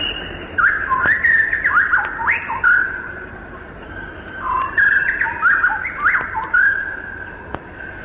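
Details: Male white-rumped (common) shama singing from thick undergrowth in Malayan rainforest, late 1950s to early 1960s: rich, varied, powerful whistled phrases that rise and fall, in bursts every second or so, over a steady background tone and faint clicks.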